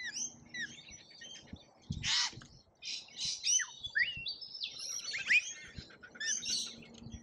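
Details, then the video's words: Lorikeets in a feeding frenzy at a feeder in Australia: a chaotic mix of shrill, harsh screeches and short chattering squeals from many birds at once, with faint low thumps beneath. "Colorful Chaos Lorikeets Feeding Frenzy"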